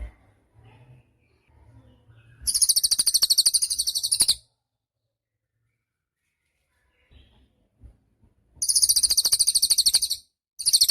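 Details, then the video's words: Lively cililin song meant for tutoring caged songbirds: two bursts of fast, high, buzzy trilling, each around two seconds, parted by a long silence, with soft low rumbles before the first burst. "Suara Cililin Burung Gacor"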